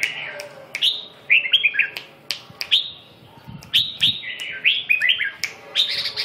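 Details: Lively chattering song of a red-whiskered bulbul from Vietnam: short whistled, slurred notes grouped in quick clusters, with sharp clicks between phrases and a low background hum.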